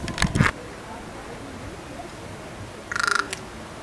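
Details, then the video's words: A male common raven in courtship, San Fernando Valley, California, 1 September 2024, gives a quick hollow run of about six knocking pulses after brief thumps and a voice, which the recordist hears as "drink." "father Raven says drink"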